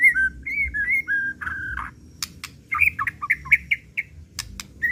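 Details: A white-rumped shama sings repeated clear whistles and a sustained note, then a fast jumble of short chattering, whistled notes with sharp clicks.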